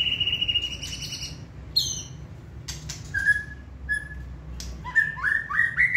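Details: Hand-tamed white-rumped shama, contest singer, begins with a sustained high whistle, adds a few clipped notes and clicks, then closes with a quick climbing sequence of bright rising whistles.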